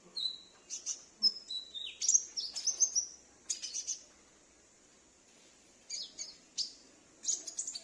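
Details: Captive sunbird at home responding to another bird, used to lure wild sunbirds: high slurred whistles and quick ticking chirps in busy phrases, a quiet pause, then more sharp high bursts.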